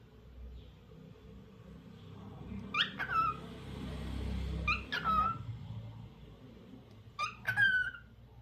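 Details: Lutino cockatiel gives three short, harsh whistled calls about two seconds apart, each sliding downward, over a low indoor hum.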